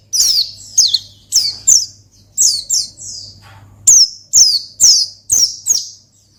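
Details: Rival-calling ngalas song of the Oriental white-eye: bright, high chirps sliding downward, mostly in pairs, about two each second, with a quiet low hum running through.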